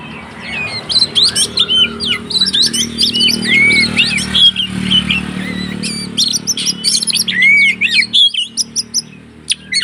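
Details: Oriental magpie-robin giving a fighting song meant to provoke other magpie-robins into singing: rapid varied whistles, slurred rising and falling notes and sharp chips in dense bursts, over a steady low engine-like hum.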